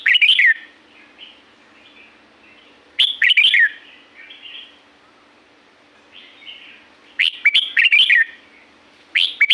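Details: In La-u forest, Thailand, a red-whiskered bulbul repeats short, bubbly, rising-and-falling warbles, in four bursts with sharp clicks. Gentler answering phrases and a faint background hum run throughout.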